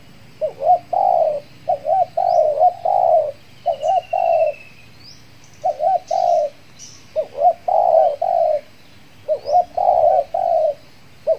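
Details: Spotted dove used as a lure for wild doves in Kepri, calling after finishing its moult; a long run of wavering coo phrases, sometimes overlapping as if two doves answer, with small birds chirping high in the background.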